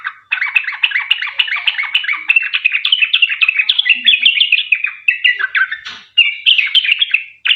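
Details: Sooty-headed bulbul singing actively in the rapid 'ropel panjang' style, used to lure other bulbuls into song. A nearly unbroken stream of quick, chattering warbled notes, with slurred whistles toward the end.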